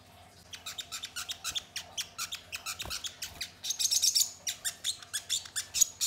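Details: Crested jay song used as a lure to provoke other birds into singing and excitement: steady rapid dry clicking notes, roughly four per second, with harsher bursts between them, heard at moderate distance.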